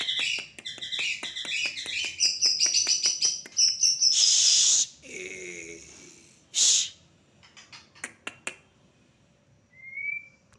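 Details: Champion white-rumped shama delivering rapid stuttering, chattering phrases that speed into loud harsh bursts, followed by scattered clicks and one clean rising whistle near the end.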